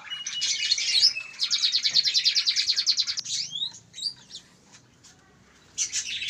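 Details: Canary chick, one month old, local breed, gives a fast repeated trill, then sliding whistled notes, a short pause and a final burst of high twittering.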